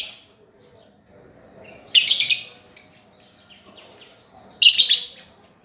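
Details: Lovebird in a master recording meant to teach a lovebird that has stopped singing: two loud bursts of sharp, high chirping chatter, with a few short chirps between them and quiet pauses around them.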